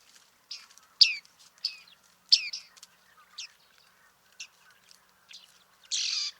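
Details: Bearded reedling (bearded tit) recorded in July 2023 at Liepāja, Latvia: a loose series of sharp, high, metallic pinging notes, roughly one every second or less, with a final harsher buzzy note; quiet background.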